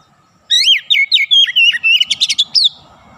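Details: Caged Oriental magpie-robin singing a fast, rapid-fire phrase of loud whistled notes with sharp up-and-down slurs, about two seconds long and packed tightly together.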